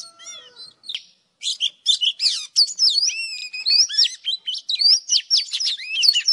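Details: Old wild Oriental magpie-robin singing in the morning: a few descending whistles, a short pause, then lively phrases of looping, rising and falling whistled notes with sharp clicks.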